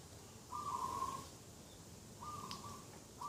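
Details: Morning dove call beside a garden on 2 October 2021: a steady, rolling mid-pitched coo, a pause, then two more flat coo notes, with faint distant chirps and background hiss.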